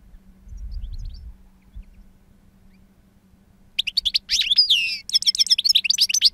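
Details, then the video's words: A two-year-old European goldfinch singing in wild-song style, noted for a powerful timbre and long calls; after nearly four seconds of quiet with a low rumble, a burst of bright twittering, tinkling notes and slurred whistles begins. "Jilguero Reclamo Canto Silvestre Puro"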